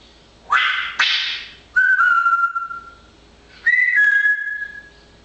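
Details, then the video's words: Busy pet parrot during fine weather. Two rough squawks are followed by long, steady whistled notes that dip slightly and hold. Another squawk-and-whistle phrase comes after a short pause. "Manus de papegaai is wel erg druk met dit mooie weer."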